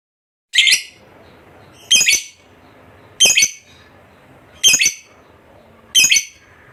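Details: Fighter lovebird of the contest type, kept for bird competitions, giving loud, harsh, high squawks spaced about every 1.4 seconds, each a short buzzy burst, with quiet room noise between.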